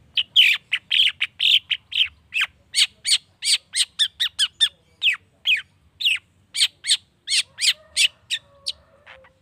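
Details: Long-tailed shrike used as a lure to provoke other shrikes to answer: a fast, harsh series of scratchy chattering notes, about three a second, high and buzzy, with no other sounds.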